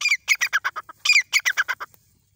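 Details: Rapid series of loud, rasping notes from a grey francolin, or safed teetar, in Ranthambore National Park, two quick phrases of roughly eight clipped calls each, the opening notes sharper and slightly rising.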